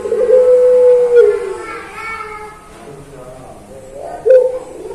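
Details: Puter pelung dove, a cooing variety kept as a songbird, in a master recording used to train other birds; a long, low, even coo is held, then drops and fades, with a second coo starting near the end.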